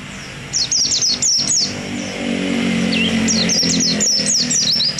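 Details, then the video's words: Caged white-eye of the jarawa wild-type variety, a contest-winning songbird from Indonesia: rapid series of high, thin, bouncing whistled notes, a brief lower slurred note midway, then another fast high run, with constant background hum. "Suara burung pleci ngalas jarawa"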